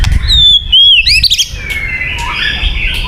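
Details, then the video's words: White-rumped shama song used for luring birds: a rich, varied phrase of clear whistles, high sliding notes and a quick burst of chattering trills, over a faint low rumble. "Suara Burung Murai Batu yang paling baik untuk pikat"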